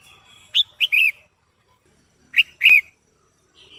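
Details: Female red-whiskered bulbul singing to stimulate a male: two short bursts of loud, warbling whistled notes, each of three quick rising and falling syllables, separated by over a second of silence, with a faint thin whistle at the end.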